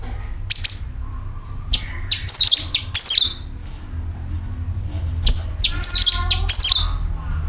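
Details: Sooty-headed bulbul calls meant to lure other birds: short clusters of sharp, high, twittering notes repeated several times with gaps of a second or more, steady low rumble behind.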